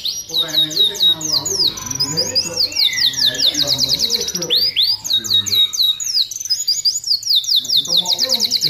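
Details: Canary singing loudly as a tutor song to prompt other canaries to sing and come into breeding condition; dense, unbroken run of sharp down-slurred notes and rolling high trills, with faint low background hum.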